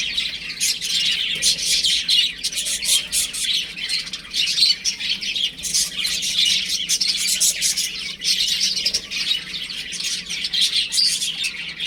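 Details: Baby chickens kept at home, a long run of shrill, quick peeps from many chicks at once, rising and falling in loudness with brief dips.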